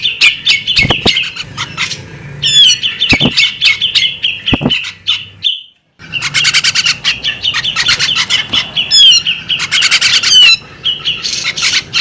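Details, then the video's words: A female bearded magpie robin gives alluring calls: busy high chirping and sweeping whistles, a clear pause near the middle, then a renewed dense burst of twittering notes. "the alluring sound of a female bearded magpie robin"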